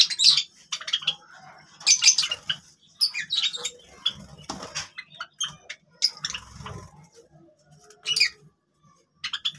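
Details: Several Java sparrows playing with grass make bright, clipped chirps in uneven bursts, mixed with soft fluttering and rustling of wings and grass.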